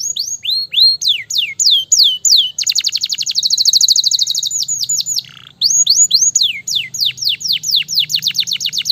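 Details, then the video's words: Gloster canary fighter bird singing loudly: downslurred whistled notes in quick series, a long buzzy rolling trill, a brief pause, then more repeated sweeping whistles. "KENARI GLOSTER GACOR SPEED RAPAT, kenari fighter langsung nyautt ngamuk gacor"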